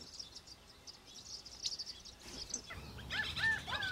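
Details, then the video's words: California quail (Callipepla californica) give a quick run of clear, arched, mid-pitched call notes near the end, after thin high twittering from small birds over a low outdoor hum. "California Quail (Callipepla California)"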